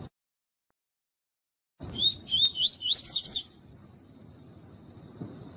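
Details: Female yellow-bellied seedeater 'tui tui' call, played to stimulate males to sing: after silence, a quick run of about six wavering, whistled notes in one and a half seconds, then quiet hiss.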